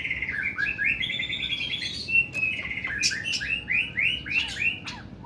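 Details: Oriental magpie-robin (kacer) delivering long, harsh 'nembak' song: a rapid run of varied whistled slurs and arched notes, rising and falling, packed closely together with sharp clicks mixed in, over faint low background hum.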